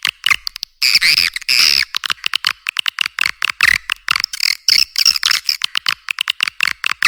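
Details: Swiftlet lure recording for attracting birds to nest houses: a long buzzy, twittering chatter near the start, then rapid runs of sharp clicks and short chirps.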